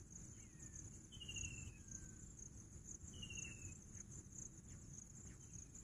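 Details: Two rapid, buzzy downslurred whistles from a bush quail about two seconds apart, plus a fainter sliding note, set against a steady insect chorus and low ambient rumble.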